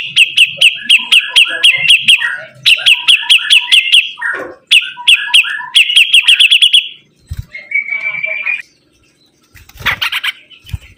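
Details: Sibuntung bird singing energetically: fast bursts of clipped, high chirps repeated in quick runs, brief pauses between phrases, then a short steady whistled note and scattered clicks near the end.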